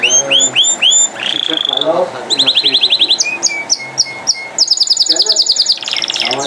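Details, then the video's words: Singing canary delivering a fast, varied song of upward-curving whistled notes, buzzy trills and steady high tours, each phrase repeated several times before changing, with a faint murmur beneath. "Non Stopable Canari Singing | Kanari Sounds | Kanari Voice | Canary Beautiful Voice"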